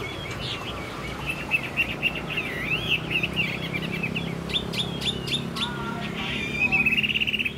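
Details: Caged Chinese hwamei kept as a songbird, singing a varied run of clear whistled phrases that slide up and down, ending in a bright rapid trill, with a low background hum.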